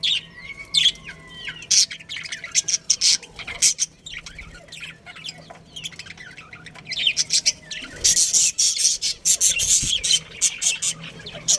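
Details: Budgerigars of a breeding pair in a colony: drawn-out warbled whistles and chatter at first, a lull, then loud dense bursts of shrill chirps from several birds, over a faint constant hum.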